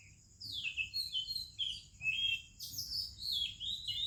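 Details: Oriental magpie-robin singing in the morning in India among other birds: a run of clear whistled, partly slurred phrases, some falling in pitch, with brief pauses between them. A steady high insect-like hiss continues underneath.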